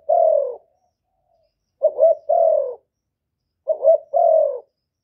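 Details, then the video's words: Spotted dove from Cà Mau, Vietnam, giving a rival-provoking call: a long coo ends one phrase, then two more phrases of a stuttering double note and a sustained, slightly falling hollow coo follow about every two seconds. "Tiếng chim cu gáy kích bổi giọng hạp bổi"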